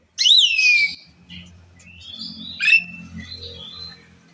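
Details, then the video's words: Asian pied starling in full song, prompting other birds to join in: a loud, high whistled note that swoops down, then quieter chirps and a second short whistle over a low steady hum. "jalak suren gacor pembagkit burung lain ikut bersuara"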